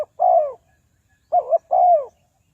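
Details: Spotted dove decoy, used for trapping wild doves. Mellow falling coo, then a wobbling double-humped note and another long descending coo, clean with no other sounds.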